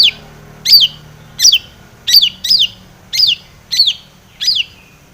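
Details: Long-tailed shrike call played as a lure to provoke singing: eight clear, high, downward-slurred notes, each a short sharp whistle, repeated roughly every two-thirds of a second on a quiet background.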